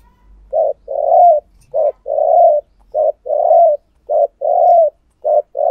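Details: Decoy spotted dove cooing to lure wild doves: a low hollow short note followed by a longer drawn coo, the pair repeated about five times in quick succession, clean and close with a quiet background.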